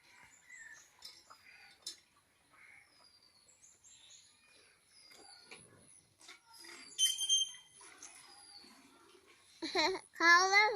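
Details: Happy pet Indian ringneck (rose-ringed) parakeet with its meal gives scattered thin chirps and squeaks, ending in a loud, harsh, rising screech; soft room noise in the background.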